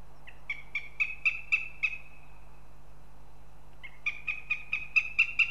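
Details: Northern goshawk at the nest in Riga, Latvia: two loud series of harsh, ringing kek notes, about eight in each, rising in strength then trailing off, separated by a pause, over a steady low hum.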